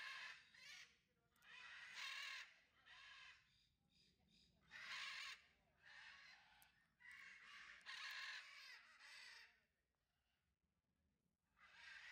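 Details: Citron-crested cockatoo chewing wood at a bird park in Leicestershire gives about eight harsh, raspy screeches, each under a second, at uneven intervals over a low background rumble.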